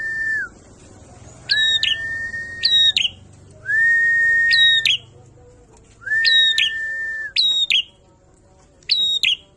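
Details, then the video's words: Prinia in loud "ngalun" song, long level whistles alternating with clusters of sharp, high, buzzy chirps, the pattern repeating about every two to three seconds over faint low hum. "Perenjak ngalun kenceng"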